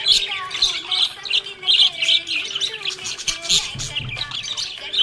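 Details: Happy budgie chirping: bright, high chirps repeated in quick bursts about every half second, laid over steady background music with tonal low notes.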